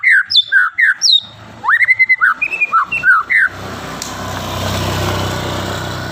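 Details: White-rumped shama (murai batu, Medan type) in vigorous song: quick sequence of bright whistled and slurred notes, some rising, for about three and a half seconds, then the singing stops and steady engine-like rumbling noise takes over.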